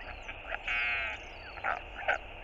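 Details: Northern royal albatross chick on a nest camera begging its father for food: a long, harmonic, wheezy note followed by shorter nasal bursts over a low background hiss.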